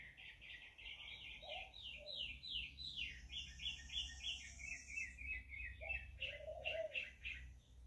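A young American robin gives quick, high chirping notes, about three a second, mixed with a few lower clucks, over a faint low rumble.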